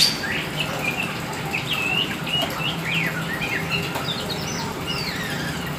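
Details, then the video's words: Oriental magpie-robin of the black form in lively song, giving varied short whistled notes and slurred rising and falling phrases at a moderate pace against low background noise. "Burung Kacer Hitam Gacor"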